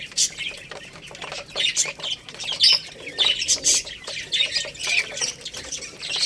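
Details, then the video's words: Lohmann Brown chicks, a young rooster and a young hen, feeding on rice: bursts of shrill, piercing peeps come in clusters, with quieter gaps between and scattered clicking underneath. "Chicks Chirping Sounds"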